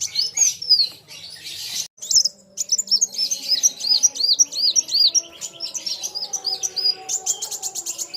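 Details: Sunbird known as kolibri wulung in loud song while meeting an equally vocal rival, lively scene: a bright burst, a brief gap, then a run of repeated arched high whistles and sharp ticking notes.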